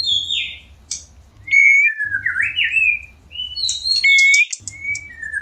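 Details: White-rumped shama keen to mate, in breeding condition; clear pure whistles, zigzag slurred notes, a high scratchy burst and long steady whistles, spaced by short pauses over a low hum.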